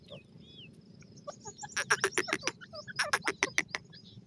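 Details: Grey francolin calling over a steady low rumble: after thin whistles from other birds, a burst of fast, harsh, stacked notes starts midway, pauses briefly, then repeats before fading out.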